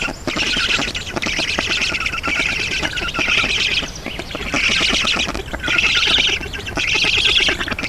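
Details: Nest of black storks in Estonia, 7 June 2019 at 11:03, as water arrives. Harsh squawking comes in swelling bursts of about a second, roughly once a second, with quieter, scratchier stretches between.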